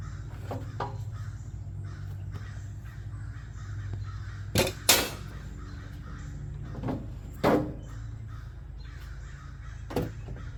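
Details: A crow gives a few harsh, rasping caws over a steady low rumble: two close together, then single ones spaced a few seconds apart. The crows are heard alongside wood thrush and catbirds at a wooded rural property.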